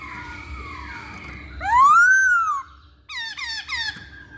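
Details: Masked laughingthrush, kept as a lure to prompt other birds to sing: a long rising-then-falling whistled slur, followed by a run of short downslurred whistles, with a steady low hum underneath.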